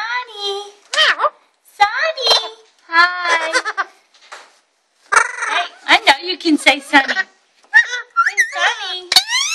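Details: Pet Alexandrine parakeet chatting before bedtime, when its enclosure is covered, showing off words practised during the day. High-pitched, speech-like bursts with harmonics and sharp squawky rises, in short phrases separated by pauses, indoors.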